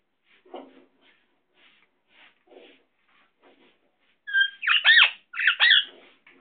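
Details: Pet Indian ringneck parakeet indoors: soft scattered murmuring notes, then two loud, harsh, ringing screeches with bent, wavering tones near the end.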